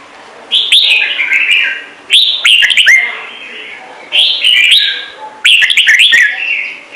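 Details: Red-whiskered bulbul in song, a standard full voice played to get wild-caught birds singing. Four lively whistled phrases, each a loud rising note followed by tumbling chirpy slurs, arrive roughly every one and a half seconds.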